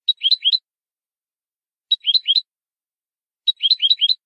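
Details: Canary performing malagueño-style song for teaching other birds: three short clusters of quick, tumbling high chirps, each under a second long, separated by pauses of about a second.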